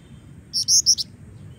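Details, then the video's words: Black-winged Flycatcher-shrike, female, kept as a training lure: a brief burst of three or four sharp, high-pitched notes in quick succession, the middle note longest, against a faint low background rumble. "Kicau Jingjing Batu Betina Gacor Pancingan Bahan"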